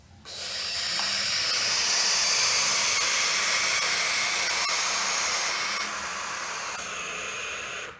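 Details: Barn owl at its nest in the church tower of São José, Quincuncá district, Farias Brito, Ceará, Brazil, recorded 6 July 2019; one long harsh tearing hiss, like cloth being ripped, sustained for about eight seconds.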